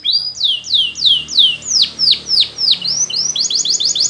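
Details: Canary singing a training song: a steady run of descending whistled sweeps, about three per second, ending in a quicker burst of short, bright notes.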